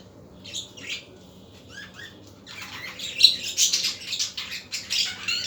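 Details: Budgerigars in the afternoon: a few soft whistled and rising chirps, then a dense, continuous stretch of harsh warbling chatter in the second half.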